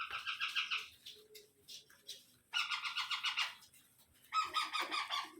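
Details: Indian ringneck parrot babies being fed by an adult: three loud bursts of raspy, rapidly pulsed churring calls, each about a second long, separated by short quieter gaps with faint chatter.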